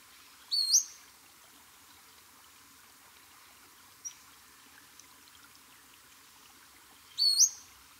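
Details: Pacific-slope Flycatcher in Washington State gives two high, sharply rising slurred 'pseet' calls about six seconds apart, with a couple of faint ticks in a quiet background.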